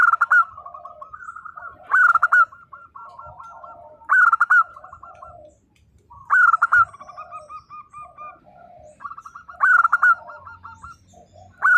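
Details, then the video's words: Active local zebra dove song in the 'nembak' style, played to make mute doves answer: six loud harmonic bursts about two seconds apart, joined by soft trilled cooing phrases, with a light low hum. "perkutut lokal gacor _suara nembak perkutut lokal bisu_ 100% LANGSUNG NYAUT"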